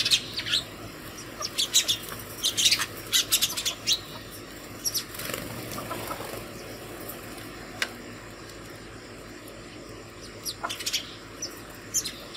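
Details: House sparrows gathering to food at a hanging feeder early in the morning; lively chirping clusters at first, wing flutters, then quieter scattered chirps later, against a low steady hum.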